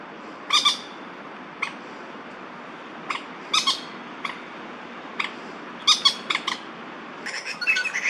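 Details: Male Crested Goshawks in a territorial shouting match in Daan Forest Park, Taipei, 30 September 2022. Sharp, rasping notes fall singly and in pairs at irregular intervals, ending in a denser, chattering flurry.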